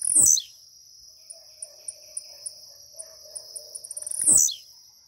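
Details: A blue-black grassquit, apparently caged and just waking, gives two short, sharp, downslurred buzzy notes about four seconds apart, with quickening high ticks between them over a steady insect trill.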